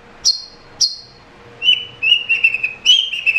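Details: : Long-tailed shrike (cendet) song in a prolific 'gacor' style, played to coax a caged bird that is reluctant to sing. Two high, short falling whistles come first, then a run of sustained, slightly wavering whistled notes.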